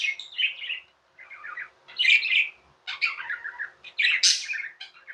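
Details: Tame pet budgerigars warbling and chirping inside, scratchy trilled phrases rising into loud harsh chirps, with short pauses between bursts.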